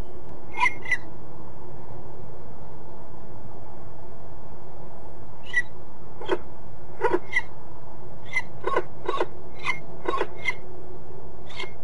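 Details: Peregrine falcon at De Mortel, Netherlands, gives short, sharp, harsh notes, first a pair, then an uneven run of about a dozen, over a steady low rumble of wind or distant traffic.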